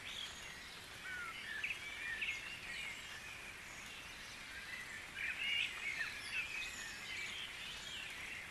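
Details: Dawn chorus of wild birds at Guisborough: soft, overlapping high chirps, short whistled notes and brief trills from several birds, scattered unevenly through a steady hiss of background noise, with a slightly louder burst of calls near the middle.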